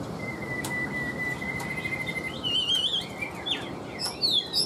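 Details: A caged Chinese hwamei holds one long, even whistled note for over two seconds, then breaks into rapid warbled trills and high looping whistles that climb in pitch.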